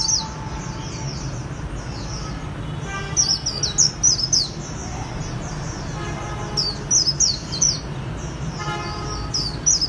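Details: Japanese white-eye singing khuyên líu style in Vietnam: dense streams of high, thin, fast twittering notes in repeated bursts, with some lower tonal notes and a noisy background.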